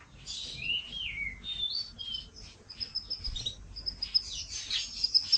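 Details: Yorkshire canary, a masteran recording for training cage birds, giving varied high chirps and slurred whistles followed by quick sharp twittering notes, over a faint background hiss.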